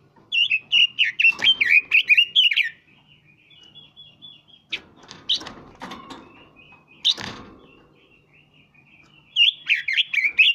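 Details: Red-billed leiothrix, two years old, outside Muscat, singing rapid warbled phrases of bouncing whistled notes at the start and end, with scattered clicks and knocks between.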